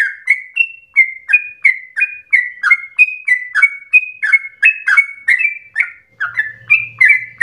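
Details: Sooty-headed bulbul giving fast, fierce, emotional song for prompting other birds to sing and as a tutor: over twenty regular chirps, alternating pitches, with a faint low hum near the end.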